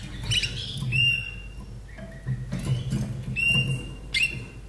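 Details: Captive common nightingale in Austria, a bird from 2011, singing a short song: scattered clear whistled notes and brief high flourishes separated by pauses, over a steady low hum.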